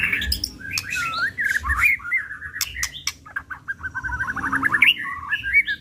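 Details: White-rumped shama in emotional, full-repertoire song from an unrepeated lure recording: long tumbling stream of chattering whistles, rapid stuttered notes and clicks with a bright upslurred whistle near the end, low rumble beneath.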